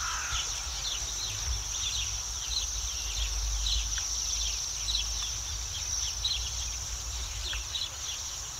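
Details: Flock of Bohemian waxwings perched high in a city tree in spring in Yekaterinburg, resting after feeding on rowan and hawthorn berries, giving a steady overlapping chorus of very high, thin, ringing trills over low traffic hum.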